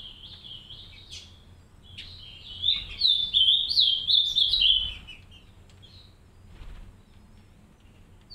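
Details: Green-winged saltator pair in an aviary with three chicks; scattered short high notes, then a two-second burst of rapid, zigzagging high twittering before dropping back to faint notes.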